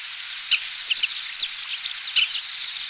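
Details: Oriental pratincoles in Pingtung County, Taiwan, recorded 20 April 2017, giving short sharp chirping notes in scattered bursts, with a steady high-pitched insect-like whine throughout.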